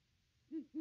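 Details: Wild Great Horned Owl watching around its nest tree on Christmas Day 2021, picked up by a nest cam; two short, low, hollow hoots in quick succession, the second clipped off abruptly.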